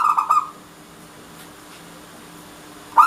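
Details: Local Indonesian Zebra dove (Geopelia striata, perkutut lokal) song: a quick burst of three soft, mellow coos, then a pause before one more coo begins; a faint low hum underneath.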